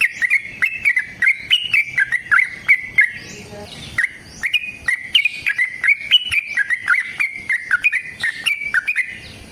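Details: Fighting song of a sooty-headed bulbul, long and meant to make other bulbuls sing; two dense bursts of quick whistled notes with sharp rising flicks, separated by a short gap.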